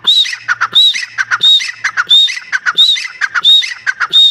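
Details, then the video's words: Dense, busy partridge calling: strident arched notes mixed with rapid chattering and squawking syllables in quick succession, filling the whole stretch with little pause. "teetar awaz / teetar voice / teetar ki awaaz / teetar ki awaj"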